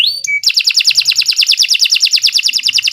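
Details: Canary song opening with a few short whistled notes, then a fast, even trill of buzzy notes repeated about three times per second.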